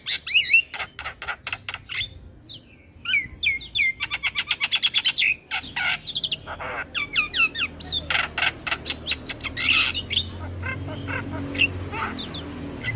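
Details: Javan myna singing in full nodding display, used as training audio for other starlings: dense bursts of sharp clicks, rapid rattling series and short whistled slurs mixed with harsh squawky notes, with a low background hum.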